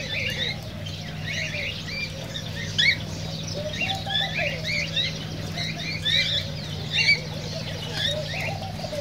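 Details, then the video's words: Several cockatiels chattering, recorded to prompt mating and singing: clusters of sharp rising chirps scattered through the clip, with a softer low burbling chatter and a steady electrical-sounding hum. "تغريد كوكتيل"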